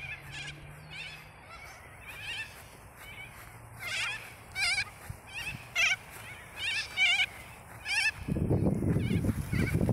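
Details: White cockatoos giving harsh, raspy screeches with a wavering, buzzy quality, about a dozen bursts spaced irregularly over the stretch, some louder and nearer than others, over a low background rumble that swells into heavy noise near the end.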